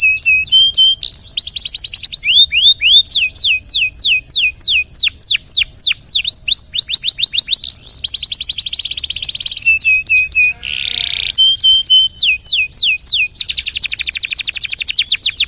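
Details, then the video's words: A canary sings a long, full-throated song, kept as a master recording for teaching other birds: fast rolls of sharp descending notes, short whistled pauses, and a brief harsh rasping burst before the trills resume. "KENARI SUPER GACOR DURASI NGEDUR PANJANG....COCOK BUAT MASTERAN SEMUA BURUNG"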